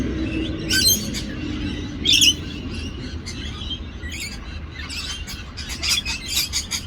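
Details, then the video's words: Parrots fighting in Australia, giving harsh broadband squawks in short bursts, loudest near the one- and two-second marks, with scattered chirps over a steady low background rumble. "Parrots fighting in Australia."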